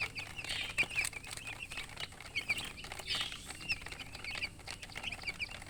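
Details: Young chicks giving soft high peeps in loose bursts, quieter and sparser, with scratchy rustling and shuffling noises throughout.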